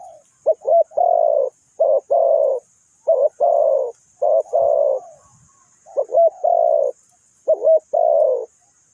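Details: Spotted dove used to lure birds into a trap, repeating low grating coo phrases in pairs of short and long notes, regularly spaced over several seconds against a faint background hiss.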